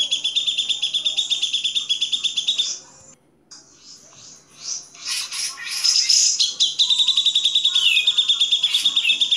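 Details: Grey-cheeked bulbul, a clear master recording for songbird training: rapid high pulsed trill, a brief silent gap, then bursts of harsh chips before the steady trill resumes.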